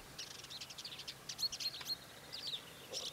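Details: Red-backed shrike giving a rapid, scratchy run of high chattering notes and thin squeaky whistles, irregular bursts over quiet background hiss.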